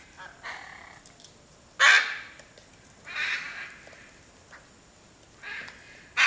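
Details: A hyacinth macaw at Piaui Cerrado Lodge, Brazil, gives loud, harsh, grating squawks, with four main bursts spaced one to two seconds apart and softer rasping calls between them.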